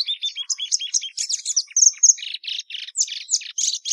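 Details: Plumbeous seedeater song, quick repeated chirps and buzzy notes at roughly three or four per second, mixing high whistles with harsher rasping syllables.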